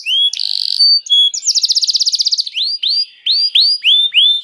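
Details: Canary song played as bait so other canaries start singing: short whistles and a buzzy note, a quick rolling trill, then a string of arched, slurred whistles.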